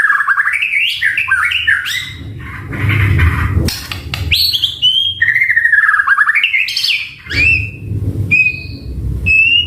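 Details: Varied song of a caged white-rumped shama: rich whistled phrases that swoop and warble up and down, with short rising notes and sharp high notes near the end, over faint low background rumble.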